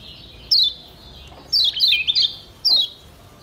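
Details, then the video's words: Kecial kuning Lombok white-eye as a training tutor for cage birds: one clear downslurred whistle, a short stuttering warbled phrase, then another falling whistle. "Masteran Kecial Kuning PENYEGAR Ampuh Bikin Kecial SEHAT dan RAJIN BUNYI"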